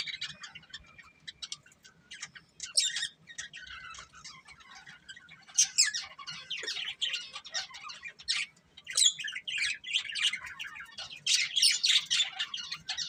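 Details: Breeding pair of budgerigars producing long stretches of quick, scratchy chirping and squeaky warbling in uneven bursts, growing busier toward the end.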